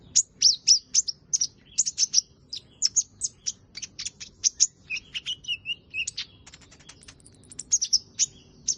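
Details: Purple-throated sunbird delivering loud, fast chirps: quick runs of high, thin, clipped notes, roughly three or four per second, with brief lower slurred notes midway.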